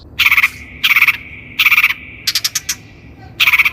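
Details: Long-tailed shrike song on a training lure for untrained captive shrikes: short trilled bursts of raspy notes repeated about every second, then a run of separate sharp clicks.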